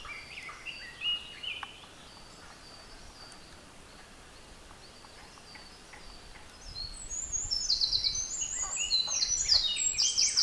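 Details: Eurasian wren, described as Japan's smallest wild bird, singing in deep mountain beech forest; after quiet forest ambience, a loud, rapid, high-pitched song of fast trills and sharp notes bursts in and runs to the end.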